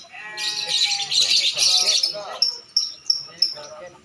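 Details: Lovebird singing at a bird contest: dense, harsh chattering burst of overlapping high notes for about two seconds, followed by four separate sharp, high chirps spaced roughly evenly, with other voices faintly mixed in.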